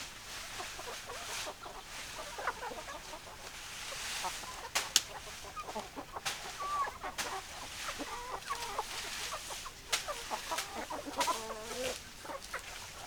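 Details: Hens clucking: scattered short clucks and a few brief rising notes over a steady hiss, with sharp clicks and knocks throughout.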